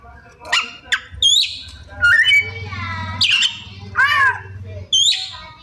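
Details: Magpie-robin song full of imitations, with scattered sharp clicks, squawky harmonic notes and high upward flicks separated by gaps, set against a constant low hum.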